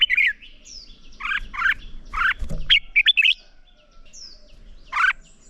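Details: Red-whiskered bulbul fighting song, morning voice training for young birds: a few short warbled phrases and thin high whistles with long quiet gaps, a rustling knock near the middle.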